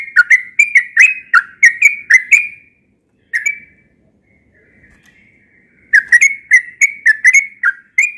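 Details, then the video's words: Yellow-vented bulbul, a frequent morning singer, pours out bubbly whistled phrases of quick rising and falling notes, pauses for a few seconds of near silence, then resumes its chattering song. "Burung trucukan yang sering berkicau di pagi hari"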